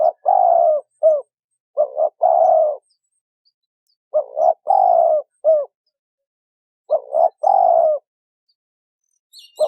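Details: Spotted dove female calling to excite a male into cooing. Repeated three-part phrases of mellow hooting: a quick paired coo, a longer drawn-out croo sliding down, and a short closing note, separated by brief silences.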